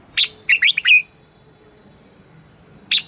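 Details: Red-whiskered bulbul singing in the morning as a lure for wild birds: a quick run of bright, chirpy warbled notes lasting under a second, then a pause and one more sharp chirp.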